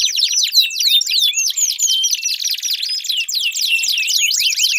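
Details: Steady canary song used to encourage a silent canary: a jumble of fast, high trills and sharp sweeping notes, densely packed and continuous.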